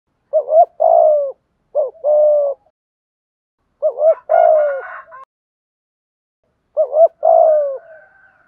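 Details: Spotted dove giving a lure coo to draw in wild doves: three paired phrases, each a short hooting note followed by a longer mellow coo, separated by silent gaps of about a second or more.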